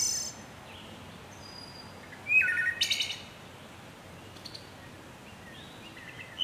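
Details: Wood thrush song phrase: liquid, flute-like notes rising and falling, then a sudden high shimmering trill. The phrase is followed by quiet gaps and faint distant chirps.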